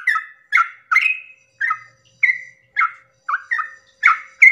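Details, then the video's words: Yellow-vented bulbul at early morning delivering a long rapid 'ropel' song to excite other bulbuls: bubbly, slurred notes with brief whistled tails, about ten phrases spaced unevenly over a few seconds, clean background. "pancingan trucukan ropel panjang subuh pagi hari merangsang emosi trucuk lain agar ikut bunyi Ropel"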